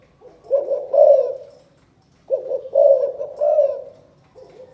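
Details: Spotted dove, Can Tho, Vietnam: 'chụp chụp ô' style calling coo, two phrases of mellow, throaty hooting notes with a short silence between and a soft start to a third.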